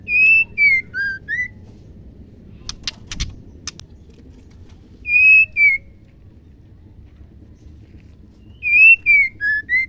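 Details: Female White-rumped Shama, whose voice is used to stir a male into singing: a clear five-note whistled phrase, falling then rising, repeated three times about every four seconds, with a short burst of harsh rasping clicks between.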